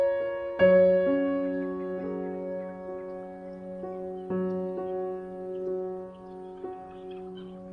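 Soft piano music plays slow sustained chords, with no animal voices.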